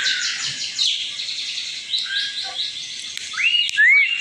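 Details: Asian pied starling lure recording used to provoke other birds to sing; dense run of fast chattering high notes and rising whistles, ending in louder upslurred whistles.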